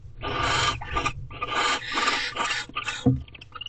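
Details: Mating barn owls inside an owl box in Corral, in the afternoon of 28 February 2023: rough, breathy rasping screeches in uneven bursts of about half a second, with scraping sounds and low background rumble.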